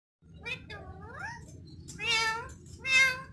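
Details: Pet green Indian ringneck parakeet talking indoors: a string of voice-like harmonic syllables, some rising and sweeping upward, others short and nasal like a mimicked meow, the last two louder and fuller.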